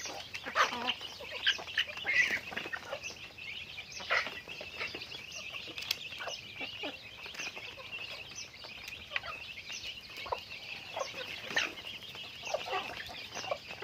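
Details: Chickens in daily activity: steady high peeping from many birds, with occasional sharper clucks and scattered clicks.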